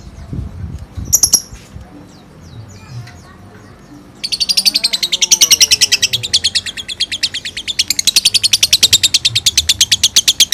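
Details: Caged pet bird being bathed breaks into ngekek song: after four seconds of faint chirps and splashing, a long, rapid, even train of sharp high chattering notes runs on to the end.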